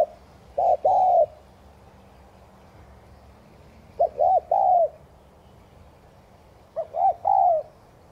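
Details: Spotted dove 'thúc gù' cooing, used to get kept doves cooing; three separate phrases roughly three seconds apart, each a couple of short hollow notes leading into a sustained falling coo, otherwise quiet.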